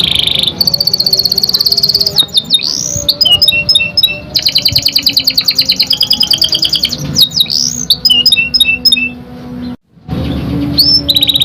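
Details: Young canary singing loudly and continuously, used to prompt other canaries into song: rapid high trills and buzzy rolls, bursts of repeated whistled loops and sweeping notes, with one brief break near the end.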